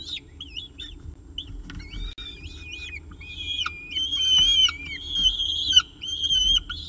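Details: Peregrine falcon at the nest with a pigeon breakfast, CSU Orange, morning of 24 October 2018; scattered short chirps build into long, thin, sliding whines that grow louder toward the end, faint low rumble behind.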